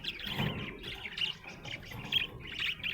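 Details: Happy budgerigar giving quick high chirps and twittering notes in a dense, uneven burst lasting about three seconds.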